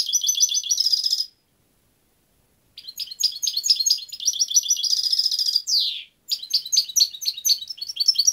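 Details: European goldfinch in sustained song: long streams of rapid tinkling, metallic twitters and buzzy trills, broken by one pause and a sharp descending slur, all very high and continuous.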